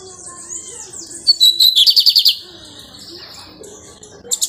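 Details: Lined seedeater, pirata variety, singing a lot while settling into a nest; high whistled notes run into a fast buzzy trill of about eight beats, followed by a sustained thin buzzing tone and sharp chips.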